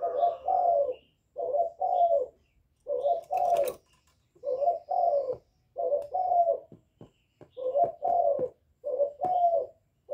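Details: A young spotted dove coos steadily, calling coos plus bowing coos to incite wild birds: low two-note hooting phrases repeated nearly every second, with faint clicks and a sharp knock.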